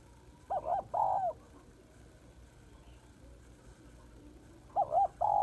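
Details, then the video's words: Female spotted dove calling to stimulate males; two-part cooing phrases, a short wavering coo followed by a longer one, heard at the start and again near the end, over a low steady hum. "Cu gáy mái kích trống/ tiếng cu gáy mái kích trống hay"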